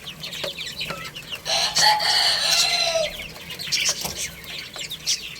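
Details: Little chicks playing and eating, their high rapid peeps running throughout while a loud drawn-out rooster crow dominates the middle for about a second and a half, then chirping continues with clicks and pecking sounds.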